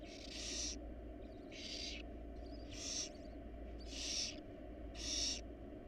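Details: Five evenly paced, loud, breathy hisses, roughly one per second, come from a wild barn owl family sheltering in their nest box, with a background hum.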